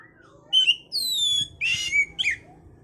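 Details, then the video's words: Oriental magpie-robin singing to stimulate breeding condition, with a long clear whistle sliding downward, then a harsh buzzy burst and sharp chirps, over faint low background hum. "pancingan suara Kacer untuk mendongkrak birahi"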